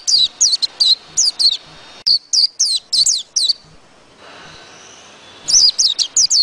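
A white-eye gives thin, high, sweet chirps in quick bursts of two or three, calling to its flock; after a brief lull of soft hiss the chirping resumes.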